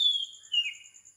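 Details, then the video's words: Oriental magpie-robin at 4 am in Sri Lanka: one brief whistled phrase, a clear note followed by a downward slur. A rhythmic high insect buzz is heard behind it. "Magpie Robin Singing"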